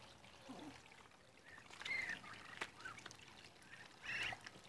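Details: Fifty-two-day-old Muscovy ducklings give two brief, high, slightly rough peeping notes about two seconds apart, over soft trickling and shuffling sounds.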